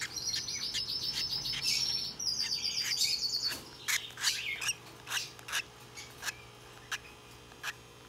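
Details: Hand-tame turquoise-rumped lovebird chick, recorded 16 December 2021 in Fukuoka, Japan: dense high chattering and squeaky calls for the first half, then separate sharp chirps roughly every half second, with rubbing or rasping sounds.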